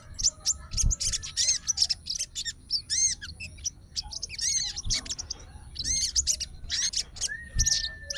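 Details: Fighter-type sooty-headed bulbul kept in captivity, worked up and calling an opponent. Short loud bursts of sharp chirps and slurred whistles broken by brief silences, with one long flat whistle near the end.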